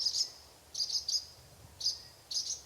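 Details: Barn Swallow calls, common around barns and given while flying: short, high, squeaky chirps in quick pairs and triplets, about five bursts in under three seconds; faint background hiss.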